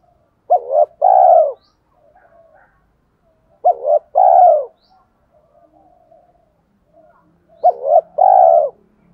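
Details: Spotted dove repeating its 'thổ pha đồng' style song to stir decoy doves into cooing. Three phrases come about every three and a half seconds, each a quick two-part note and a mellow drawn-out coo, with faint soft notes between.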